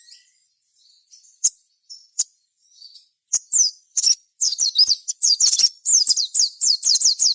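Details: Sogon bird singing gacor to lure others into song: scattered thin chips build into a fast, steady series of high downslurred whistled notes, about two per second, growing louder.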